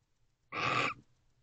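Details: An owl of a pair allopreening in a nest box at 2:07 am on 8 November 2023 gives a single harsh, breathy hiss-screech of under half a second, broad and rasping with no clear pitch, against a quiet background.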